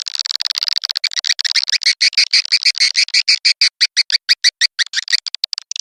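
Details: Birahi-style mating lure call for attracting swiftlets: a fast, steady train of sharp chirping clicks, about three a second, slightly buzzy and high, speeding into blurred rattles at the start and end.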